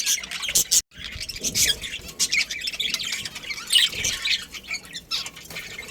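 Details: A chorus of budgerigars in a breeding colony, with busy, overlapping high chirps and scratchy twitters going on nonstop apart from one brief silence near the start.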